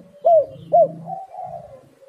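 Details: Spotted dove (tekukur) lure call: two loud arched coos half a second apart, followed by a softer drawn-out cooing tail and faint low murmur.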